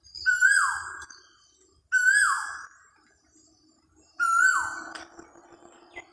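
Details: Koha bird repeating a clear whistled call that holds briefly and then sweeps steeply downward, three times at roughly two-second intervals, in an otherwise quiet setting.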